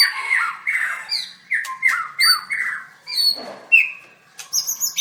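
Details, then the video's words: White-rumped shama singing hard during a songbird contest: harsh, buzzy descending phrases repeated in quick succession, mixed with high whistled notes. "Birds White-rumped shama dancing and singing like crazy till chirped sorethroat"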